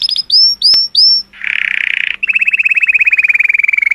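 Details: Color canary singing to stimulate females: several loud upswept whistles, a harsh buzzing trill, then a long even roll of quick repeated notes gradually falling in pitch.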